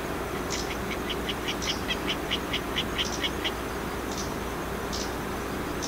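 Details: Japanese leaf warbler, presumed from its call and the season and not seen, calls from dense trees a few metres away across a canal. Lotus fields, Iwakuni, 29 Sept 2020, autumn migration. A dozen quick high "jiji" calls, then sharper ticks, over a low rumble.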